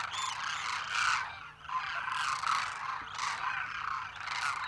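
A large flock of Demoiselle Cranes fills the air with hoarse, rattling croaks, many birds calling over one another in overlapping bursts about a second apart.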